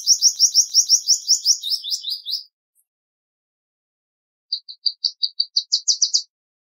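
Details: Song of the Palestine sunbird, Cinnyris osea: a loud run of sweeping high notes slurring downward over two seconds, silence, then about a dozen quick clipped chirps climbing slightly in pitch. Clean background.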